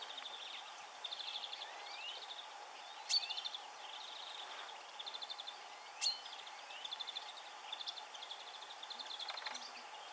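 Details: Brambling (Fringilla montifringilla) calling at Otmoor RSPB, Oxfordshire, on 20 March 2016: bursts of short, high, chattering notes again and again, with two sharp clicks and a steady background hiss.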